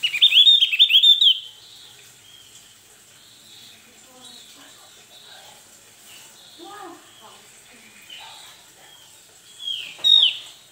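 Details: Male Javan heleia singing in excited, vigorous form, provoked by and answering a rival: a loud burst of high, sweeping whistled notes for just over a second, then quieter scattered chirps, and another bright whistled phrase near the end.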